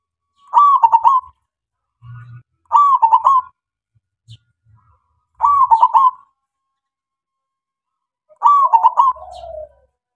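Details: Zebra dove of the local kind sung as a lure for other doves: four crisp pulsed coo phrases roughly every two and a half seconds, the last trailing into a falling soft coo, faint low hum.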